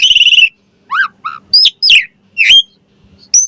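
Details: Asian pied starling song used as a master recording to make other starlings answer and sing: loud whistled notes, a buzzy trilled opening, then rising and falling whistles separated by short gaps.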